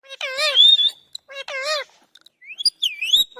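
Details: Pet parrot talking, giving two loud warbling, wavering speech-like phrases, a short silence, then rising and falling whistled squeaks near the end.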